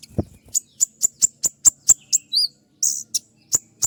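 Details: Van Hasselt's sunbird (kolibri ninja) giving sharp shooting notes in a tutor recording: a soft low thump at the start, then evenly spaced crisp high ticks with a short warbled note and one harsh burst.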